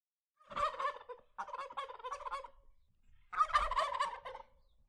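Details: A wild turkey in southeastern Arizona gobbles three times, each a rapid, rattling, throaty burst lasting about a second, with short pauses between.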